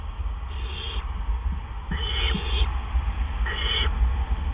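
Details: Great horned owl at a nest at 1:43 AM on April 10, 2013, as prey, a gopher, is delivered: three harsh, hissing screeches, each about half a second, spaced roughly a second and a half apart, over a steady low hum.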